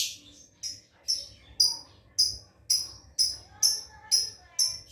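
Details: Lovebird learning to chatter (ngekek): sharp, high chirps that drop steeply in pitch, repeated about every half second, ten in a row, with little else audible.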